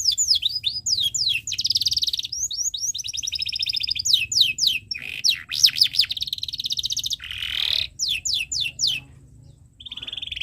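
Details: Canary used as a tutor song for young birds, a long varied song of rapid down-slurred whistles, fast buzzy trills and rolling tours, phrases changing every second or two with brief pauses.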